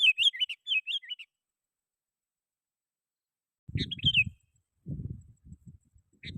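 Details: Sooty-headed bulbul calling rivals, as a lure for wild bulbuls: a few looping whistled notes, a long silence, then more notes mixed with low rumbling thuds.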